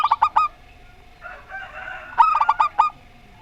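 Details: Two bursts of fast, soft, rolling coos from a local Rondo Semoyo zebra dove, paired with an unusual-voiced zebra dove. A low background hum fills the pause between them.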